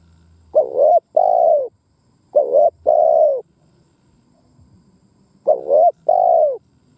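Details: Calling spotted dove used as a decoy, 'thúc gù gáy' style meant to provoke other doves: three evenly spaced two-part phrases of a quick tremulous coo followed by a sustained mellow coo.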